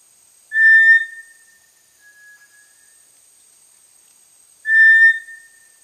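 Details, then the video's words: Small, entirely brownish-gray tinamou of tropical lowland rainforest understory, along streams and in dense undergrowth. Two strong, flat, steady whistles sound about four seconds apart, clean and unbroken, with near silence around them. "Listen for a short flat whistle repeated about once every 4 seconds."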